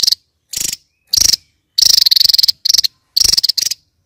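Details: Kingfisher calling in harsh buzzy rattled bursts, some brief and some drawn out to nearly a second, separated by short silences.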